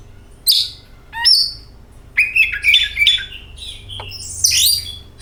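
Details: Oriental magpie-robin singing as a lure for kacer birds: scattered bright notes, some sweeping down and others flat and whistled, with a short squeaky burst near the end. The background is quiet.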